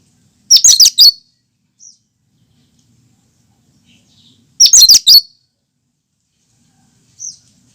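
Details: Cucak kinoi singing its natural song with no mimicked phrases. Two tight bursts of sharp, high chirped notes about four seconds apart, each about half a second of rapid twittering. Faint single notes between them in an otherwise quiet background.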